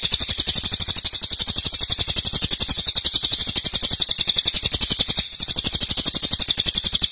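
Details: Cililin delivering a loud, long-duration song meant as a master for tutoring cage birds; shrill, fast pulsed trill runs without pause, with a brief dip in loudness near the end.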